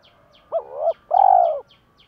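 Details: Spotted dove decoy call for luring and exciting wild doves. It is a clipped two-syllable coo: a short note that dips and rises, then a fuller, drawn-out level note. Light rhythmic high chirps sound throughout.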